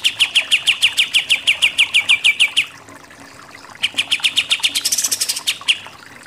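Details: Kapas tembak, the pied triller, delivering a steady fast trill of bright repeated notes that slowly descend, then a pause and a second burst rising into high buzzy notes, in 'nembak-nembak' style.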